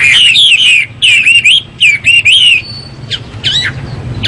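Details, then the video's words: Chinese hwamei singing in the morning: three loud bursts of rich, ringing whistled phrases, each a rapid run of slurred notes rising and falling, followed by a few fainter, sharp, clipped notes after a short pause. "Họa mi hót buổi sáng cực hay"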